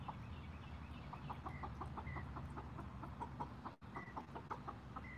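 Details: Soft, rapid clucking runs almost nonstop from six Golden Comet chickens pecking at watermelon in the evening, joined by short clear whistled notes from a nearby bird and one brief dropout.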